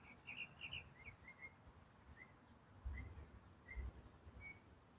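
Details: Unknown autumn songbird, one bird singing continuously for minutes, heard nearly daily at the same time; soft, distant chirped notes in a quick cluster, then spaced single slurred chirps against steady low noise.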